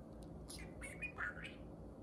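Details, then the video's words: Two pet parakeets conversing and playing indoors; scratchy, warbling chatter with short whistled notes and squeaky twitters packed into about a second, over a steady low hum. "Parakeet Pillow Talk: two parakeets converse and play"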